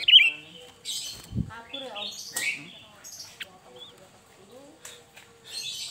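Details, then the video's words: Sooty-headed bulbul, varied lure song: opens with a loud sharp chirp, then scratchy twitters, short slurred notes and bursts of hissy chatter, with low murmuring underneath. "Suara burung kutilang Fariasi"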